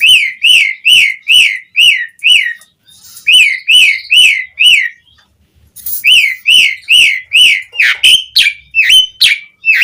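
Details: Asian pied starling (jalak suren) singing vigorously, used as a lure to make other starlings sing; loud upslurred whistles repeated about twice a second with overtones, a brief break of scratchy notes, then whistles resume with harsher notes at the end.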